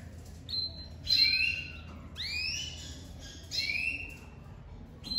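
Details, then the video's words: Domestic lavandeira canary with a crest, singing strongly just after its moult; bright rising whistles and downward-curving slurs in several separate phrases, with quiet pauses and low background rumble. "Canário doméstico lavandeira de topete saindo de muda e cantando muito forte"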